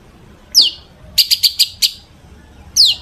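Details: Long-tailed shrike song used as a lure for other shrikes; a sharp downslurred whistle, a quick series of five high clipped notes, then another falling whistle.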